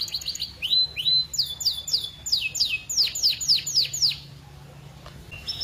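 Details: Canary in full, active song in a long melodious style with varied phrasing: rising whistled slurs followed by a run of repeated falling high notes, about four per second, then a quieter pause.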